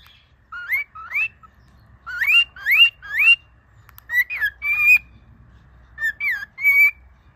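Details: Whistled phrases from a pet cockatiel coaching another cockatiel to sing and talk: clear upward-sweeping notes in pairs and triplets, some held flat whistles, with brief gaps between groups.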